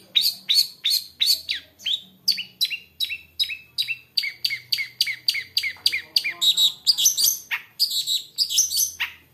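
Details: Long-tailed shrike in full, vigorous song packed with mimicked phrases: a rapid series of high, sharply downslurred notes repeated about three times a second, turning into denser, varied chattering toward the end over a faint low hum.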